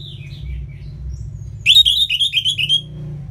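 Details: Orange-headed thrush from northern Bali near Singaraja in ngeplong song style, used as a tutor to get lazy birds singing: after quiet soft notes, a loud rapid run of about eight sharp repeated whistled notes.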